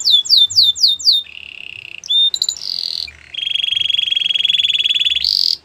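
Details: Belgian canary song for training young canaries: a few loud down-slurred whistles, then a flat trill, short chips and a long, even, buzzy rolling tour ending in a higher burst.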